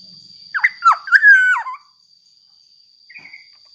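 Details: Black-naped oriole singing vigorously, used as a lure to make other orioles sing: one rich fluty phrase of looping, liquid whistles lasting about a second, then a faint short call, over a steady high-pitched whine.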